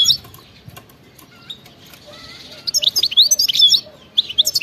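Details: European goldfinch in wild-type (khalawi) btebta song. After a quiet start with a few soft scattered chirps, rapid bright twittering notes burst in during the last two seconds.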